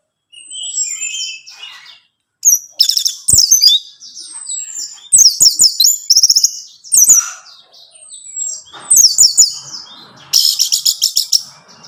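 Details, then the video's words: Orange-headed thrush song played to stimulate a captive bird to sing: high slurred whistles and rapid chattering bursts, a short silent break near the start, ending in a buzzy, stuttering trill. "Merangsang ANIS MERAH Berani Bunyi, Saat Diputarkan Kicauan Ini dalam Beberapa Menit."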